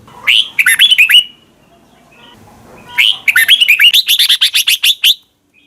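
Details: Red-whiskered bulbul from Thailand singing for young birds to copy: two lively phrases of quick, liquid whistled notes, the second longer with a dozen rapid bouncing syllables, separated by a short quiet gap.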